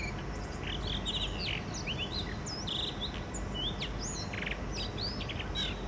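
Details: Spring song of a mated pair of wild blue rock thrushes at a balcony in Shonan, Japan, the first singing of the year. Quick clear whistles and short warbled figures follow one another closely over a constant low hum.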